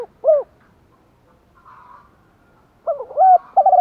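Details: Spotted dove acting as a decoy to lure wild doves. Two short hollow hoots are heard at the start, then a faint murmur, then a phrase of rising and steady coos that ends abruptly.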